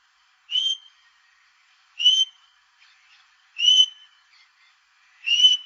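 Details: A domestic Australian king parrot gives four short, high, piping whistles, each a brief bright note repeated about every one and a half seconds, with little else heard.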